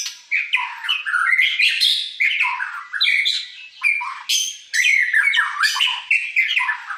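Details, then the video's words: White-rumped shama (murai) performing sujud song: short bursts of varied phrases with slurred whistles, scratchy high notes and quick trills, each burst separated by brief pauses. "murai sujud"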